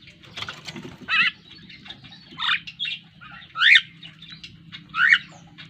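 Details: Pet Javan myna, black with a yellow bill, mixes wavering whistled notes with rough squawks, roughly four loud phrases spaced about a second apart, against low background hum.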